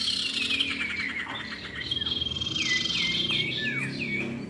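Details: Common iora, male and female, calling: a long falling whistle, then a series of bouncy rising-falling whistled notes in quick succession, with a soft low hum in the background.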